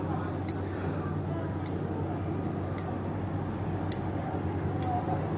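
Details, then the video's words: Pet lovebird at home uttering five sharp, thin, high chips, each very short and spaced roughly a second apart over a soft background hum. "masteran bukan tapi burung lovebird rumahan"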